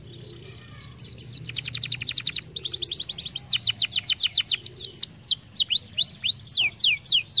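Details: Canary singing, played to stimulate other birds to sing: downslurred whistled notes opening into fast rapid-fire rattling trills, then a string of repeated sweeping whistles, bright and high.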